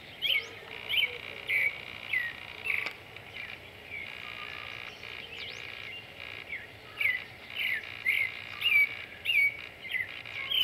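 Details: Creamy-bellied thrush, about 18 cm, singing in the morning in Argentina, short clear whistled phrases with thin high notes about every half second, over a steady hum of insects.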